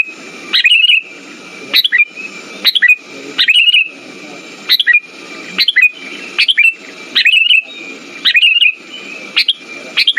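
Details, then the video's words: Song of a sooty-headed bulbul, used to stimulate silent birds: bright short phrases a little under one per second, a sharp upward chirp melting into warbled notes, low rasping noise under each burst. "Pancingan burung kutilang macet"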